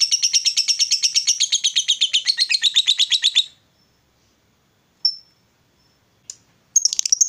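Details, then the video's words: Female fighter lovebird, ngekek long chatter to taunt rival lovebirds: a fast, rasping pulsed rattle for about 3.5 seconds, then silence broken by isolated sharp squeaks and the start of another burst. "SUARA LOVEBIRD BETINA FIGHTER, Bikin Lawan Tak bisa Nahan Emosi, Nyaut Bunyi Ngekek Panjang"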